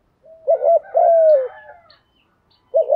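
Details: Spotted dove coo phrase for stimulating newly caught doves to call. A brief rising note, a quick wavering double hoot, then a sustained falling coo; after a short pause the next phrase begins.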